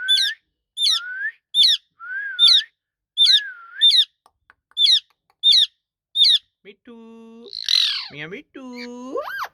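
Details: Ringneck parrot said to be talking, giving a steady series of dipping whistles with sharp high chirps, then lower, voice-like harmonic sounds mixed with a harsh squawk.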